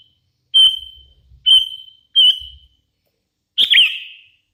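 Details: Sooty-headed bulbul, a hand-raised bird in full voice, giving three flat sustained whistles in quick succession, then a richer slurred whistled phrase; soft low thumps underneath.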